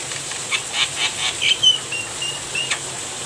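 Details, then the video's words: Javan myna vocalizing during rainfall, a series of brief grating notes followed by several thin, level whistles, all over a constant high rain hiss. "Terapi Burung Jalak kebo di Waktu turun hujan"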